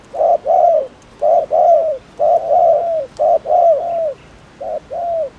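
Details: Cooing spotted dove, recorded to stir up rival doves: deep mellow coos grouped short-long, the longer notes dropping slightly in pitch at the end, repeated about five times.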